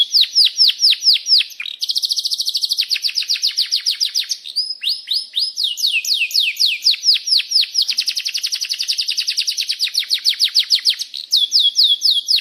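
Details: Singing canary, a long rolling song meant to draw other canaries into song: bursts of fast buzzy trills alternate with slower series of down-slurred whistled notes, about four notes a second, continuous throughout.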